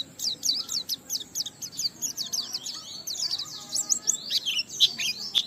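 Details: Oriental white-eye song of the ngalas type, meant to stimulate other white-eyes: a continuous stream of thin, high twittering and buzzy notes over a noticeable background hiss.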